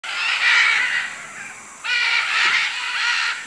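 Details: Macaws in Manu, Peru, giving two long, harsh, raspy squawks, each drawn out for over a second with a gap between them, over a steady background hiss.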